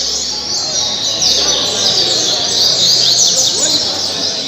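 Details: Captive Double-collared seedeater from Mambucaba park, Angra dos Reis, delivering caribe-style song: dense, high twitters with sharp downward slurs, strongest in the second half, over broad hiss.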